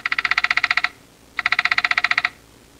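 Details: Woodpecker; pecking; pecking to shake insects out to eat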